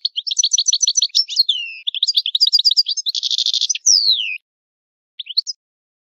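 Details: Italian European goldfinch in the old song style: rapid liquid twittering, a dense buzzy trill, then a long descending slurred whistle, followed by silence and a brief final twitter.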